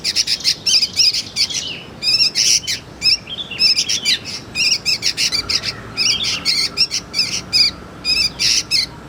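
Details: Juvenile sooty-headed bulbul calling as a lure and tutor for magpie-robins, a steady stream of scratchy chirps and buzzy notes grouped in rapid bursts, some with a rasping shimmer.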